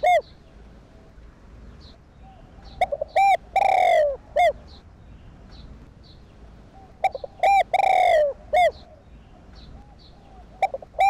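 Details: Two cooing phrases from a spotted dove meant to rouse captive doves: quick staccato notes, a sustained downward-gliding coo, then a short closing hoot, the phrases about four and a half seconds apart.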